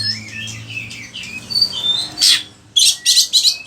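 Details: Oriental magpie-robin (kacer) from an Indonesian bird-training recording: soft rising whistles and warbles, then several loud harsh raspy bursts in quick succession.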